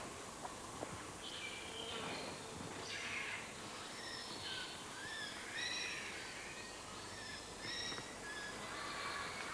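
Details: A tooth-billed bowerbird, a species that mimics other birds such as the grey-headed robin, is just starting to call in forest, giving scattered high whistles, chirps and short slurred notes over a steady forest hiss.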